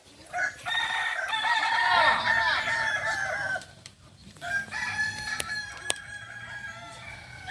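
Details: At a crowing practice contest in Solok, West Sumatra, a Kokok Balenggek rooster gives a long, loud, multi-syllable crow with wavering tiered notes that fades out; softer crowing and sharp clicks follow.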